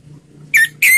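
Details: Slow ngeplong song of an orange-headed thrush, meant to stimulate other birds to sing: two strong whistled notes, the second longer and slightly rising, over a low steady hum.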